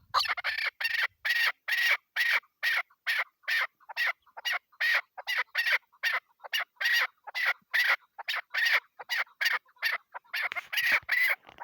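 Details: Female chukar partridge kept by hunters for partridge hunting, giving a steady series of harsh, clucking chuk notes, about two per second, running on through the whole recording with a slightly louder, busier burst near the end.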